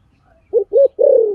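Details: Low mellow spotted dove coo phrase, used as a decoy sound: two short rounded notes, then a sustained, slightly wavering coo that drifts downward.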